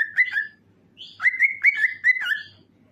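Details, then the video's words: Cockatiel song intended to make other cockatiels sing: a brief whistled phrase, a pause, then a smooth chain of four or five clear, slightly wavering whistles, quiet background. "This Will Make Your Cockatiel Sings"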